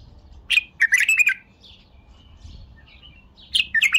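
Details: Bulbul song: a loud bubbly phrase of rapid chirped notes near 0.5–1.3 s, a quieter warble, then the phrase starts again at 3.5 s; faint high chirps from other birds in between.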